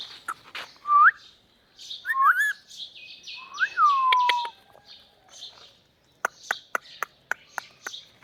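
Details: Pair of pet parrots: rising and falling whistled notes, one long downslurred whistle, mixed with buzzy chatter, then a series of sharp clicks near the end.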